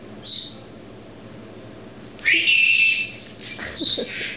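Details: Female Senegal parrot kept at home, showing off a freshly learned word; loud grating squawks fill the clip, one short shriek, then a longer rasping call and a final burst, with a faint voice underneath.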